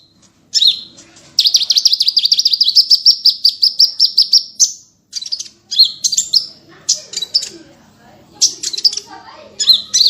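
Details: Masteran recording of a small bird singing full tembakan with varied phrasing: a long, fast, steady high trill lasting over three seconds, then choppy sharp chirps and squeaky bursts with faint low background murmur.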